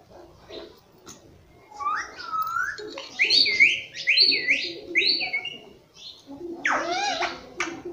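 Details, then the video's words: Pet green ringneck parrot that talks, saying 'mummy papa', gives a quick string of sharp, warbling high notes in clustered bursts, then a loud downward-swooping squawk near the end. "Nonstop Speaking mummy papa"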